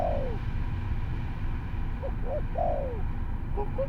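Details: An albino spotted dove gives a sliding, downward coo, short soft hoots, a second long falling coo and further brief notes, with constant low background rumble.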